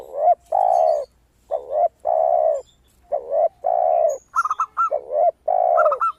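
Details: Lively zebra dove song, crystal in tone, used as a lure for other doves: long rounded coos with dipping ends, repeated about every half second, with quick stuttering trills toward the end.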